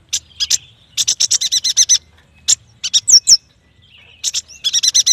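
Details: Yuhina, or prenjak batu, singing energetically: repeated quick runs of buzzy high notes broken by short pauses, with two clear upslurred whistles in the middle.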